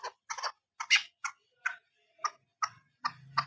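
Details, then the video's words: A female chukar partridge, used as a hunting call, gives about ten sharp, clucking chuk notes at an uneven pace, roughly three per second, with a faint low hum near the end. "Female Hunting Sound Madi Chakor Awazصدای مادی کبک شکاری آواز"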